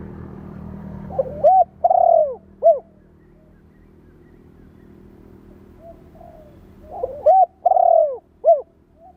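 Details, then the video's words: Spotted dove cooing for training decoy birds: two hollow phrases about five and a half seconds apart, each with short curved coos, a long falling coo and a brief end note, over a constant low drone. "Tiếng chim cu gáy kích bổi,tập bổi nhanh nổi hiệu quả"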